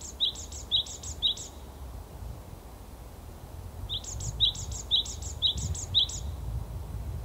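Japanese tit giving bright, high two-note phrases in quick runs, three then five, about two per second, over a low steady rumble.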